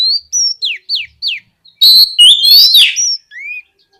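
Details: Oriental magpie-robin in loud gacor ngeplong style, meant to coax other magpie-robins into singing: clear descending whistled slurs, then a rich burst of rising, warbling notes and a final upswept whistle.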